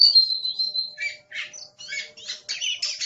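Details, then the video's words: Caged Oriental magpie-robin, described as aggressive, opening with a steady high whistle, then breaking into harsh, buzzy chattering notes repeated in quick bursts. "Suara Master Burung Kacer Galak"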